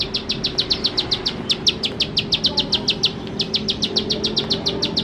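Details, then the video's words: Vigorous bar-winged prinia song in 'nembak-nembak' style, meant as a lure to get birds singing fast: quick unbroken string of sharp high notes, nearly four per second, one brief gap, low steady hum behind. "Ciblek Sawah Gacor Nembak Nembak || Untuk Pancingan Ciblek Sawah Bahan Agar Cepat Bunyi"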